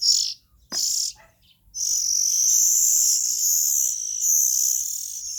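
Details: Oriental magpie-robin nestlings calling: harsh, hissy high-pitched bursts, two short ones, then a long near-continuous rasping stream with slight rises and falls in pitch. No other sounds.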